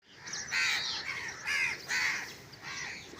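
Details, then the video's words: Crow giving a few harsh, nasal caws, about four spaced calls over three seconds, each rough and slightly downslurred, heard outdoors with light background hiss. "crow sounds crow video crow crying"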